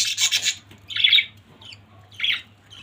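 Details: Budgerigar family calling: a harsh raspy squawk, then two shorter buzzy chirps separated by pauses, over a faint steady low hum.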